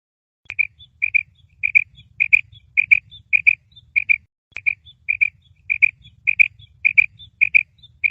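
A female quail gives soft, high paired notes, "pwip-pwip", repeated about every half-second. A faint low rumble sits underneath.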